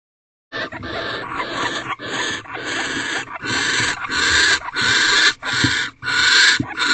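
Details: Barn owls mating in an owl box at 4:17 am on the fifteenth night, 3/4/23: harsh, broadband hissing screeches in long rasping bursts, about seven in quick irregular succession, growing louder toward the end.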